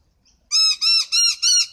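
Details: Noisy miner giving a loud, harsh, rasping call: four strident squawked notes in quick succession, each lasting about a quarter second, with a fifth beginning at the end. The background is otherwise quiet.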